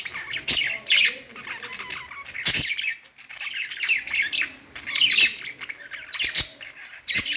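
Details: Budgerigars kept as pets sing from a perch in bursts of chirpy, scratchy warbling, with sharp clicking taps breaking in every second or two and a brief lull around three seconds.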